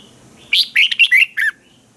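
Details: Training song of a Red-whiskered bulbul from Thailand: one crisp phrase of five or six bright, slurred whistles in quick succession, loud and clear against a quiet background.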